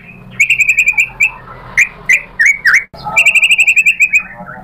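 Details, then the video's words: White-rumped shama singing hard, goaded into answering and revealing its learned mimicry: quick runs of sharp high chips, a few sweeping upslurred and downslurred whistles, then another fast chattering run of clipped notes. "MURAI BATU GACOR memancing EMOSI jadi NYAUT BONGKAR MATERI ISIAN"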